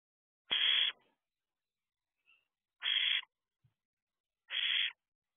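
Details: Barn owl owlets in a nest box at 4:24 am on 6/2/23, looking out the door. Three harsh, hissing screeches of about half a second each, spaced roughly two seconds apart, in an otherwise quiet box.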